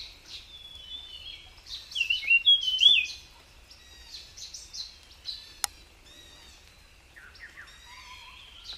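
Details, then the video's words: Wild jungle flycatcher (tledekan) pouring out a varied, high warbling song of quick slurred whistles, loudest around the middle, then softer scattered notes, with a single sharp click and faint low rumble. "𝗞𝗶𝗰𝗮𝘂 𝗕𝘂𝗿𝘂𝗻𝗴 𝗧𝗹𝗲𝗱𝗲𝗸𝗮𝗻 𝗠𝗲𝗿𝗱𝘂 𝗝𝘂𝗻𝗴𝗹𝗲 𝗙𝗹𝘆𝗰𝗮𝘁𝗰𝗵𝗲𝗿 𝗔𝗹𝗮𝗺 𝗟𝗶𝗮𝗿"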